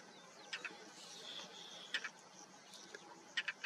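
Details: A European roller (Coracias garrulus) calls in Israel's Jezreel Valley in May 2022, giving short, harsh, rasping paired notes about every one and a half seconds over a steady high insect hiss.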